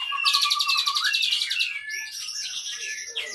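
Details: Captive Asian pied starling singing on its own, unprovoked, its song filled with Cililin-style imitations including canary; high whistled notes, then a dense buzzy trill and sliding whistles that rise and fall.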